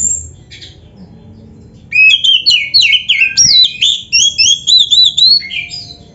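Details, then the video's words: White-rumped shama song used as a training recording for caged birds: after a quiet start, a rapid series of loud, varied whistled and chattering phrases, sliding notes repeated about three times a second. "MASTERAN KACER GACOR FULL ISIAN !! - Suara Burung Kacer yang cocok untuk LATIHAN"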